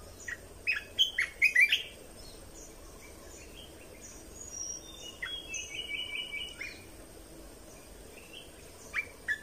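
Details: Red-whiskered bulbul song played to train young birds and rouse birds: a few loud, sharp warbled notes open the clip, followed by softer, thinner whistled phrases and scattered chirps against steady hiss.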